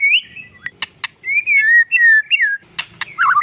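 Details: Territorial oriental magpie-robin singing to provoke rival birds: smooth sliding whistles and drawn-out notes, broken by sharp clicks, ending in a jumbled warbling burst.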